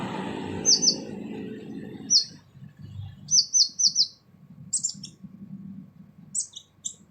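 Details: Brown-throated sunbird with a harsh song for training: paired and tripled high downslurred notes, later ticking clusters with long gaps, after an opening of low murmuring noise.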